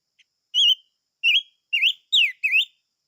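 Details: A chim ngũ sắc gives a loud, sweet phrase of five whistled notes, each bending up then down, at roughly half-second intervals after one tiny chip.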